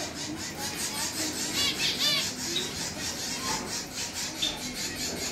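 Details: Gouldian finch said to be ready for breeding, giving dry, scratchy rasps repeated about twice a second, with a few faint thin whistles among them; soft room noise underneath.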